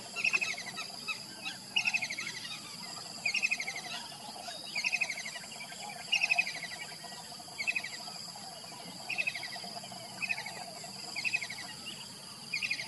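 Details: Morning kingfisher call, repeated short rattled phrases of rapid sharp pips falling slightly in pitch, roughly every one to one and a half seconds, against a continuous insect hum and faint other birds.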